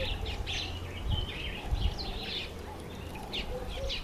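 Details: Female mountain chat giving short chirping and warbled notes in scattered bursts, some rising and some falling, with soft low rumbling noise in the background.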